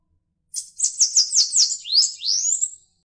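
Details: A Bananaquit sings a hurried string of high, hissing down-slurred notes that shifts into two upward-swooping whistles and a short buzzy ending, clean and without background noise.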